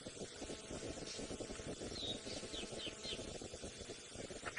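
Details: Fork-tailed drongo shouting at sunset, Djuma Game Reserve, Sabi Sand, South Africa, early May, near Buffelshoek Dam: quick run of sharp, slurred, metallic high notes over a vehicle's idling rumble, hippo in the distance.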